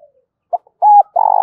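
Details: Spotted dove calling coo in urging style, a cut phrase: a brief soft note, a small blip, a smooth level coo, then the start of a rough vibrating coo; quiet background.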